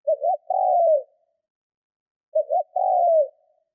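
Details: Decoy spotted dove cooing well to provoke wild doves: two clean phrases, each opening with short choppy notes and ending in a longer, soft, descending coo, with silence between them.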